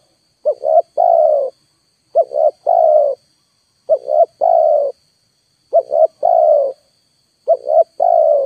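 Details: Spotted dove cooing, played as a trapping lure: regular phrases of two brief coos leading into one long, slightly descending coo, evenly repeated about every 1.7 seconds over a faint steady electronic whine.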